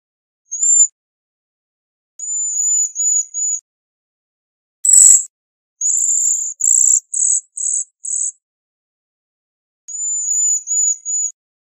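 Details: Bohemian waxwing trilling high and thin, first in slurred wavering phrases, then in a quick series of short, buzzy, rattled bursts, then wavering trills again. A brief sharp click is also heard.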